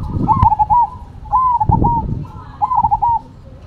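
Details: Energetic song from Cemani versus Silver zebra doves: four quick rolling coo phrases of stuttered notes, about one per second, over low thumping knocks and background rumble.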